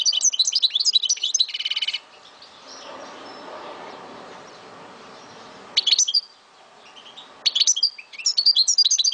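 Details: Kept Algerian European goldfinch from Souk Ahras gives bursts of song: fast high twittering and a buzzy rattle, a pause of low background noise, then short twittered phrases resuming.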